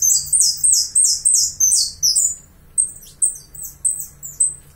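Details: Uruguayan saffron finch with a fast chain of high, bright chirps, each dropping in pitch, then a slower run of thinner separate notes at roughly three per second.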